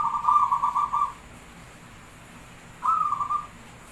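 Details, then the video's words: Zebra dove (perkutut) of Javanese type in full song, used as a lure: a long, evenly beaded cooing trill of about a second, a pause of nearly two seconds, then a shorter trill starting on a higher note. "Suara Jumlah Ketukan perkutut pandai burung Paling Gacor | Merbok perkutut Jawa Pancingan Gacor"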